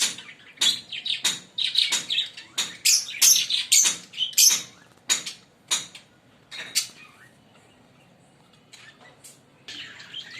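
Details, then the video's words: Green Fischer's lovebird pair singing and chirping: bursts of shrill, high chirps packed together for about seven seconds, then a few scattered sharp notes with quiet gaps between. "Lovebird singing & Chirping Sound 5 Minute - Green Fischer pair"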